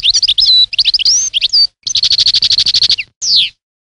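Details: European goldfinch in full song: tinkling, slurred whistles and chirps, then a fast even trill of repeated notes and a closing descending slur.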